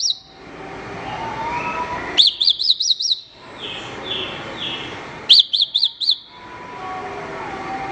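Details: Horsfield's bush lark song, a master recording used to train other songbirds: two short bursts of sharp, high chirps in quick runs, separated by a steady hiss of background noise.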